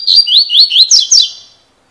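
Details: Double-collared seedeater singing in the fibra style, in a form called cilada: a short clear phrase of about six quick rising whistled notes, ending with two sharper downslurred notes, then silence.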